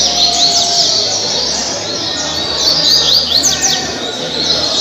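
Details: Double-collared seedeater (coleiro) singing in the caribe song style, from Mambucaba park in Angra dos Reis, Brazil, 2019–2020. Rapid, high, thin chirps and downward-sweeping whistled notes stream continuously over a steady hiss.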